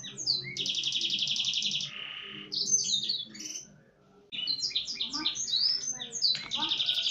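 A canary sings a fast, varied song of bright rattling trills, buzzy rolls and sweet high whistles, broken by one brief pause; a faint low hum underneath.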